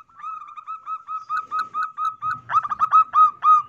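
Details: A female zebra dove calls as a lure: a quick series of short, soft coos, about four a second, growing louder and more clipped toward the end, over faint low background noise.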